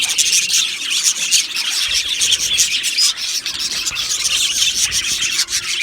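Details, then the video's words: Aviary full of budgerigars: a rasping, scratchy warble from many birds together, with short whistled squeaks rising out of the steady twittering. "Beautiful Budgies Singing and Chirping Sounds"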